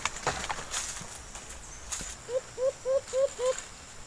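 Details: White-eared brown dove (alimokon), a wild bird answering a kept decoy bird: after rustling and knocks, five rising hooting notes, evenly spaced about three per second.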